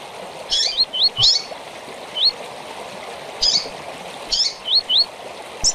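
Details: Tui-tui style seedeater song for tutoring young birds: short buzzy bursts followed by two or three rising whistled slurs, repeated in phrases with pauses, against a constant stream-like hiss.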